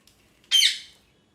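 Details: A single loud, harsh parrot scream, a raspy squawk that bursts out abruptly and fades over about half a second, with faint clicks before it.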